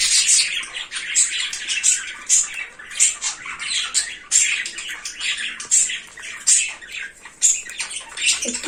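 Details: A cockatiel called naughty keeps up a long run of grating screeches, each harsh burst following closely on the last with short gaps, loud and steady throughout.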